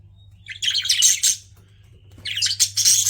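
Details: Pet budgerigars chirping in two busy bursts of rapid, bright, twittering notes, separated by a short quiet gap, with a low hum beneath.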